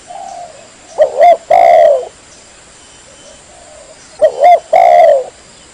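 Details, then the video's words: Female spotted dove calling to attract males, used for luring: two phrases about three seconds apart, each a double hooked note leading into a long, falling crooned coo, with faint coos in the quiet gaps. "Suara pikat burung Tekukur Gacor"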